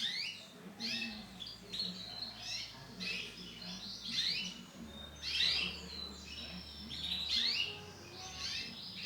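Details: Female canary, brown in colour, producing clustered high chirps and thin whistled slides in irregular bursts, with a low droning hum underneath.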